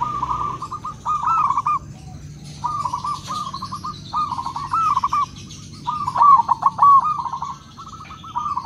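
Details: Crossbred and local zebra doves answer each other in clear bursts of fast, soft, stuttering coos, about one phrase every second or two, several birds overlapping.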